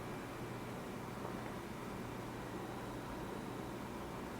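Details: Constant broadband hiss with a low mechanical hum, like a fan or air conditioning, and no animal sounds.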